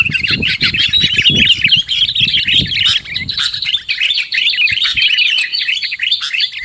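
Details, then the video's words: Dense chorus of chirping, bubbly whistles from sooty-headed bulbuls, a lure call for catching birds, with heavy low rumbling handling noise during the first three seconds. "Suara PIKAT Burung KUTILANG"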